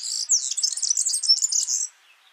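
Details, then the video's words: Yellow-fronted canary singing in the wild: a short, lively burst of high chirping and rapid warbled trills lasting about two seconds, ending abruptly. "Suara burung Mozambik gacor di alam"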